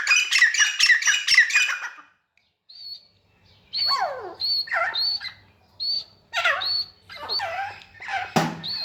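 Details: Grey francolin (teetar) playing in mud: a two-second run of rapid, harsh, repeated notes, then short whistled high notes and downward-sliding chirps at irregular intervals, with a faint low hum underneath.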